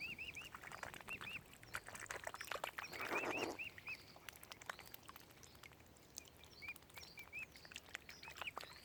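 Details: Downy mute swan cygnets at Oxford Island Nature Reserve on Lough Neagh, Ireland, calling in short bursts of high, arched peeps, two to four at a time, separated by quieter gaps with soft rustling.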